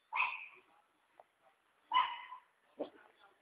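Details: Harsh, grating screeches from a free-living hyacinth macaw at a rural property in Ilha Solteira, Paraná River, Brazil; three raucous calls, the last shorter and lower, with quiet gaps between.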